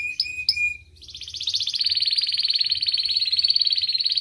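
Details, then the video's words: Canary song meant to coax young canaries into singing: two short sharp whistled notes open, then a sustained fast rolling trill of high repeated notes continuing steadily to the end. "Pancingan Kenari PAUD agar Cepat Respon Bunyi"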